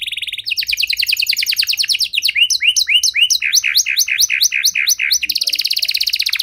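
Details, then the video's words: Canary delivering a long song with special phrasing to get stalled canaries singing again: a brisk trill, then a chain of choppy swooping notes, ending in a very fast, high rattling roll. "Kenari Gacor Durasi Panjang Cengkok Istimewa! Efektif Buat Memancing Kenari Macet Biar Gacor Kembali"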